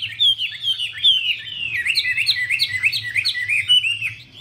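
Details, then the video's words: Displaying female Chinese hwamei, dancing with fanned wings to stimulate the male, pours out a fast chain of short looping whistles, each note bending up then down, repeated steadily at a quick pace; soft low hum underneath. "Họa mi mái múa xòe thúc trống nhanh lên lửa"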